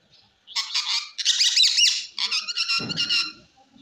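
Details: Ring-necked parakeet producing loud, harsh, buzzy squawks in three rapid bursts across about three seconds. The bursts are rich and grating with wavering pitch, and a brief low thump is heard near the end.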